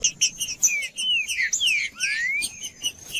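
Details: Green-winged saltator singing in the judas style, played to stimulate a cold captive bird: loud slurred whistles, some falling and one long rising sweep, mixed with sharp chips and a steady thin high whine throughout.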